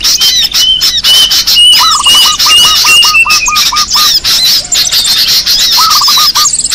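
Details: Small birds used as a lure call: a dense, busy chorus of high twittering chirps over thin sustained whistles, with runs of lower hooked notes repeated rapidly, about a dozen in a row, then a shorter burst near the end.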